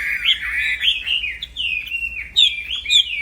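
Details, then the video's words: Black-throated laughingthrush (wambi) in full, non-stop song for training other songbirds: a continuous run of warbled, slurred whistles rising and falling, with brief bright upward notes. "Burung Wambi Gacor Plong fighter Yang Bikin Kena Mental Burung Wambi Lain, Masteran Kicau Tanpa Jeda"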